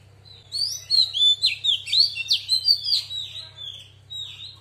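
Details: Oriental magpie-robin hen giving forest-style song to stir other birds: a rapid, jumbled string of high whistles, trills and abrupt upslurs lasting about three seconds, then a quieter trailing phrase, over a constant low electrical hum.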